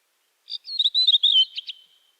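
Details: Redwing song phrase of about a second and a half: a rapid run of high, thin chirps and twittering notes that trails off. A quiet background.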